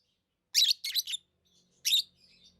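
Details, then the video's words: Pet lovebird chirps: a harsh buzzy double chirp, then after a short pause one more rasping chirp, with faint soft notes and a low hum behind. "Love birds Sounds | lovebirds chirping sounds"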